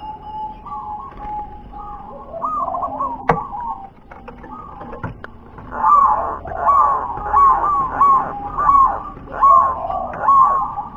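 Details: Zebra dove of local wild stock singing WER-KE-TE-PEK style: quiet trilled coos with a couple of sharp knocks, then a rhythmic series of short rising coo notes, about one per second.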